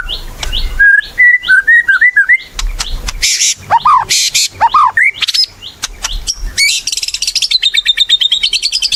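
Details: White-rumped shama in active song, meant to lure other shamas into singing. Varied whistled phrases, some looping and wavering, some sharp downslurs, end in a fast run of rapid repeated notes.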